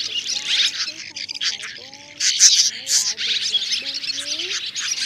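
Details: Swiftlet roosting-call lure mixing three kinds calling the flock in to roost: dense, high, buzzy chatter of rapid chirps, with lower, smooth sliding whistled tones underneath.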